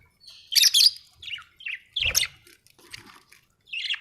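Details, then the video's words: Happy pet budgie chirping and singing, a run of bright, scratchy high chirps and warbled notes in quick bursts with short pauses, a brief low thump midway. "Happy budgie chirping sound 🥰 budgie singing sound 😍"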